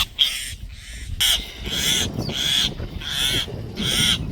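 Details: Common myna giving an alert call: a series of seven harsh, rasping, broadband squawks, each about a third of a second long, repeated in quick succession with short gaps, over a low background rumble.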